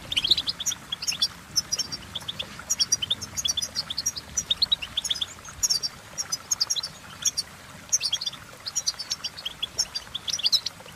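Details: Extended European goldfinch singing: dense, bright twitters and buzzy high notes tumbling in fast runs, nearly continuous for the whole stretch, with light background hiss.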